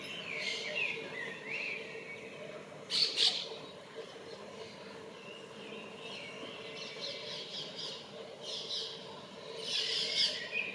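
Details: Common blackbird calling for a mate on 28 February: scattered bursts of high, squeaky warbled phrases every few seconds, over a steady low hum.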